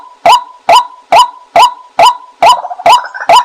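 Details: Female white-breasted waterhen call used as a decoy: loud, hoarse, clipped notes repeated steadily about every half second, each with a short low-pitched hum between, the final notes slightly rougher.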